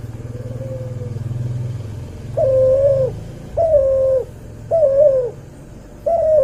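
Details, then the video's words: Cuhu dove, a hybrid of a white albino puter and a puter pelung. A soft faint coo first, then loud, clear sustained coos about every second and a half, over a low engine-like hum. "MASTERAN BURUNG CUHU HASIL SILANGAN PUTER ALBINO PUTIH VS PUTER PELUNG"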